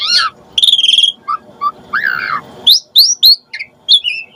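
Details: Asian pied starling (jalak suren) call played as bait for starlings to answer: harsh scratchy notes and a buzzy chatter followed by clear, rising whistled phrases and short sharp chirps separated by gaps.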